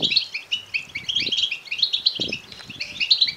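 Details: European goldfinch chicks begging, a natural recording: a dense overlapping chorus of short, high, sharp chirps, many birds calling at once without pause, with a few soft low thumps beneath.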